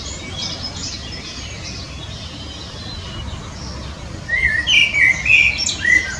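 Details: Common blackbird (Turdus merula) song: after a quiet stretch of soft outdoor hiss, a brief run of pure, fluty, warbled phrases near the end.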